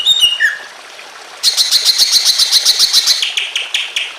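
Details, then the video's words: Greater green leafbird in an emotional singing bout, played as a training recording to make other leafbirds sing, beside trickling water: a few whistled notes, a pause, then a fast, steady series of bright chipping notes. "BIKIN CUCAK IJO LAIN IKUT BUNYI EMOSI"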